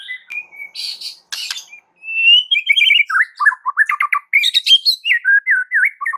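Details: White-rumped shama singing to provoke other shamas into song: loud, varied whistled phrases sliding up and down, with rapid repeated notes and harsh buzzy bursts mixed in, continuous and rich.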